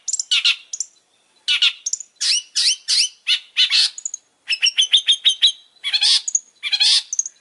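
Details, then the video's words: Vigorous song of a long-tailed shrike, mixing harsh scratchy notes, rasping chatters and short thin whistles in varied bursts with brief gaps. "Suara burung pentet super gacor"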